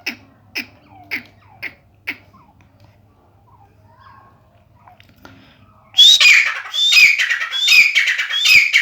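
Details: Grey francolin of the babu sindhi type, a chakri wala bird said to give 270 calls a minute: faint clicks and knocks, then after about six seconds loud, harsh, grating call phrases repeated in quick succession.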